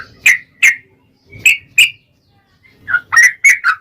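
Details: Yellow-vented bulbul singing energetically, used as a lure to make other bulbuls sing: pairs of loud liquid whistled notes separated by pauses, ending in a quicker run of bubbling notes.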